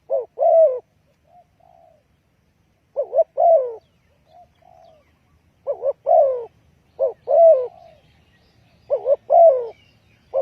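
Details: Spotted dove lure call for trapping, repeated double coos and falling croos, with a softer, lower croo from a second dove slipped between phrases.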